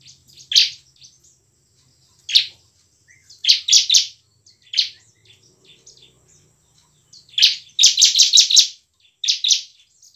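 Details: Bar-winged prinia in full emotional song, ngebren and nembak style, played to prompt quiet birds to sing. Scattered bright chirps build to a fast, dense run of piercing notes near the end.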